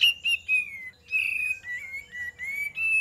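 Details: Olive-winged bulbul song played as a lure, with whistled slurred notes, some sliding down and others held level, in a continuous run of phrases.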